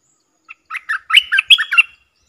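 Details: Caged decoy Streak-eared bulbul calling in wild birds: one soft lead note, then a lively run of about seven warbled, chortling notes rising in strength, no other sounds.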